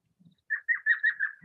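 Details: An elf owl in Cave Creek, Chiricahua Mountains, Arizona, at night gives its maniacal, high-pitched cackling laugh: a rapid series of five high yelping notes, with a faint low note at start and end.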